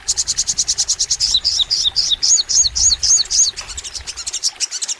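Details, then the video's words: Crimson sunbird (sogon) in full, lively song: a fast run of high ticking notes followed by repeated sharp down-slurred chirps, about four per second, all very high-pitched. "MASTERAN SOGON FULL NEMBAK! Suara Sogon Gacor Panjang | Pancingan untuk Sogon Biar Rajin Bunyi"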